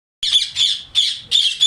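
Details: Indian ringneck parrots from a colony in summer giving loud harsh screeches, four broad shrill calls in under two seconds, each about a quarter second long with brief gaps.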